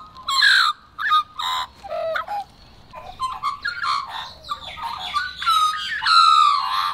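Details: Several Australian magpies (Gymnorhina tibicen) sing in a loose overlapping chorus of rich fluting warbles and gurgling notes in bursts, with some harsh squawky phrases.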